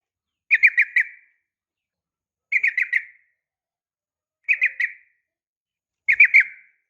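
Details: Sooty-headed bulbul female calling a male, fighting style: four tidy phrases of three or four quick, bright chirping notes each, spaced about two seconds apart against silence.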